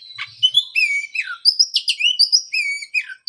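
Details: Oriental magpie-robin singing to coax a post-moult bird back into song: a continuous run of clear whistled notes, long level and sliding tones mixed with quick chirps, with faint low thumps at the start.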